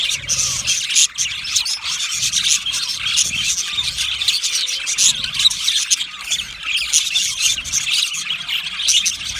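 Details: Lonely budgie's loud contact or distress calling: harsh, scratchy squawks over a dense bed of fast high chirps, rising and falling in intensity without a break.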